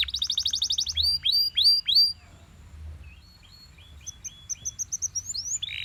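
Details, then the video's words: In the morning a Belgian canary sings a quick burst of repeated notes, then four loud slurred rising-falling whistles, a quiet gap, and a high tinkling run of short chirps ending in a rising note. "Belgian Canary Singing In The Morning"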